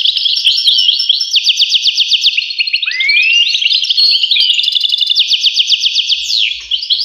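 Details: European goldfinch singing a fast, continuous twittering song of high trills and buzzy rattles, with repeated chirp runs, a short rising slur near the middle and a swooping note near the end; no other sounds.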